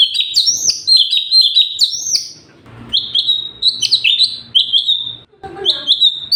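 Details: Cucak cungkok, the Sooty-headed bulbul, singing a tutor recording in gacor style: rapid whistled phrases, a brief lull with low hum, then drawn-out, slurred whistles and a final quick flourish.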